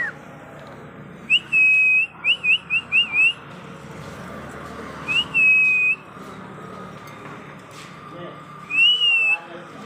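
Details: Pet parrot kept at home, giving a quick burst of five short clear whistles that rise then level off, followed by two longer flat whistled notes spaced a few seconds apart over a faint indoor hum.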